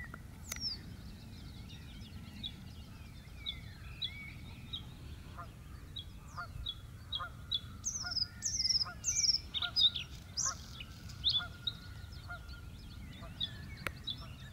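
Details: Bluethroat singing in the Biesbosch, the Netherlands: varied high, sharp chirps and quick twittering phrases, louder in bursts in the second half, over steady lower honking notes repeated throughout, likely geese, with a low background rumble.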